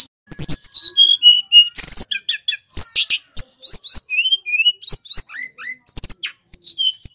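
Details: Loud tutor and lure song of a male little pied flycatcher from Banyuwangi: descending whistled slurs, rattling clicks and quick high twitters tumble together continuously, with brief steadier whistles at mid pitch.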